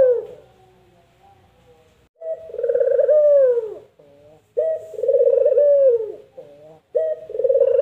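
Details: Distinctive voice of a puter dove, a call people imitate as "mpuk jerruuuu": a fading tail, then two full phrases. Each phrase is a brief opening note, a rumbling drawn-out coo sliding down, and a short soft afternote.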